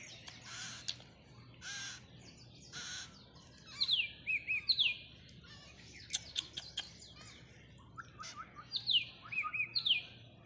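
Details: Baby parrot on its first day of hand feeding, begging: three harsh, rasping broadband bursts about a second apart, then clear descending whistled notes repeated in pairs in the background.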